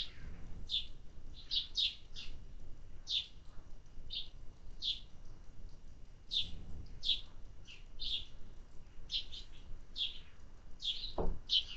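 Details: Sparrows at a feeder keep chirping, a run of sharp single chirps spaced irregularly, roughly one or two per second, against low background rumble and a knock near the end.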